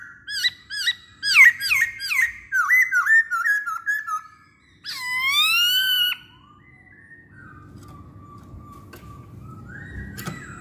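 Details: Masked laughingthrush lure song for prompting other masked laughingthrushes to sing. A long, rapid series of downswept whistled notes leads into a sustained rich wavering phrase, then fades to a faint, lower whistle.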